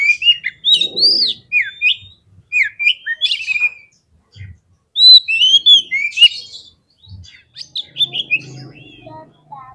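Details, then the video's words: Provoking song of a white-rumped shama, meant to rouse fighting birds: fast whistled phrases, rising and falling slurs and sharp upsweeps in quick bursts with brief pauses, a few soft low thuds between phrases. "SEKALI PLAY KACER KALIAN PASTI LANGSUNG NGOBRA !!! KEPANCING EMOSINYA FULL FIGHTER"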